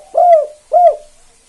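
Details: Spotted dove, 'kuk 2' type, used as a calling master for other doves: two deep, slightly downslurred coo notes about half a second apart, clear and close.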